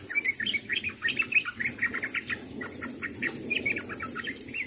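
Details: A sooty-headed bulbul calls out to others in a steady stream of short, lively chirps and liquid slurred notes, closely packed and varied in pitch, with a faint background hiss.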